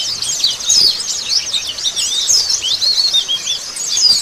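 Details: Oriental white-eyes used as a lure for a bird to respond and sing: a lively, high-pitched mass of looping, warbling chirps from several birds, overlapping without pause.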